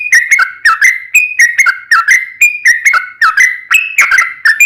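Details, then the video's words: Sooty-headed bulbul in steady ropel panjang song meant to provoke another bulbul into singing: clear, slightly buzzy whistled notes stepping up and down, repeated at a regular, rapid pace throughout. "SUARA trucukan gacor ropel panjang PANCINGAN TRUCUKAN agar bunyi JADIKAN burung trucuk gacor NYAUT"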